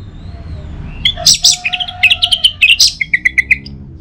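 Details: Orange-headed thrush singing, played to get other birds singing in the morning: a fast run of bright, varied chirps and short whistles, some high and sharp, others steady and lower, over faint background rumble.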